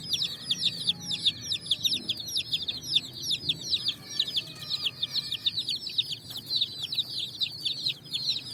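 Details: A flock of colourful chicks on sand searching for food in the evening sun: constant piercing high chirps, each a short falling note, crowded together in a busy chorus with little other sound.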